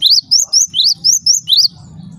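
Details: Seven clear rising chirps from a Java sparrow, evenly spaced about every quarter second, then a low rumble; the calls are said to make other Java sparrows noisy.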